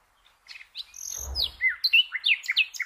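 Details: Nightingale song used to train cage birds, a fast run of varied whistled and slurred notes rising and falling, with a brief low thump near the start.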